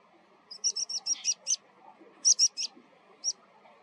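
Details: Water pipit (Anthus spinoletta) giving its call, likely uttered when taking flight: thin, high, sharp 'tsip' notes in a rapid run of six, then three, then one, over a faint low rumble.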